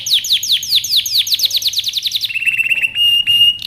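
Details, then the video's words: Training song from a canary: a series of loud down-swept whistles, about five per second, shifting into a thin, steady high trill with tiny stuttering notes. "canary training song"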